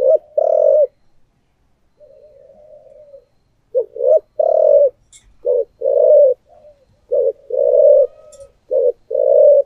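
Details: Decoy spotted dove sings its thổ-style coo: deep short-long note pairs, some run in quick triplets, with a quieter drawn-out murmur early on. Faint clicks are heard.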